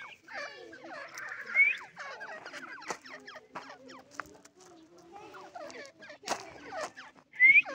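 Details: Irani teetar, a francolin, with busy clipped chattering, an upslurred squeal early and another loud squealing note at the end, quieter gap in the middle.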